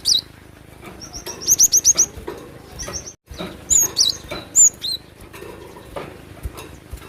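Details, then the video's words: Cinereous tit (glatik batu) in lively song in the wild: a fast run of about five piercing whistled notes, then shorter two-note phrases and downslurred whistles, with light clicks and rustling between. "Glatik batu gacor emosi dengan suara asli alam liar"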